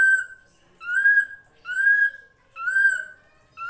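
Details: Srigunting krantil drongo song recorded as a master for training songbirds: steady, loud, slightly rising whistled notes with bright overtones, each about half a second long, repeated roughly every second.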